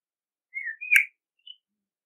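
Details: Common blackbird giving a short fluted phrase: a falling whistled note, then a brighter slurred whistle with a sharp click, and a faint high note after a pause.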